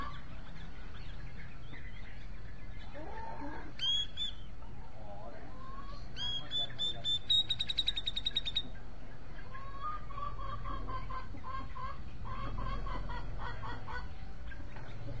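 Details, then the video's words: Grey-cheeked bulbul, known locally as cucak jenggot, gives a short burst of sharp whistles, then a longer rapid string of high clear notes. Fainter lower chattering runs through the rest, over steady background rumble and possible speech. "Cucak jenggot mencari teman karaoke"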